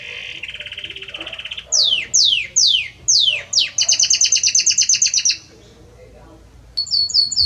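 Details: Belgian canary male singing a lot to his female: a steady buzzy trill, then a run of loud downward-sweeping whistles, a rapid rattling series of bright notes, a pause, and a short high chattering phrase.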